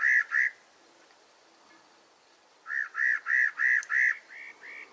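Spot-breasted Parrotbill giving nasal, slightly croaking notes, about three a second: a quick pair, a pause, then a run of six that fades away.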